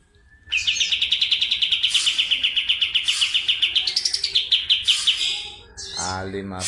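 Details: Lively kapas tembak from Medan pours out a long, fast roll of high, sharp notes for about five seconds, the pitch lifting briefly midway, ending with a low thump.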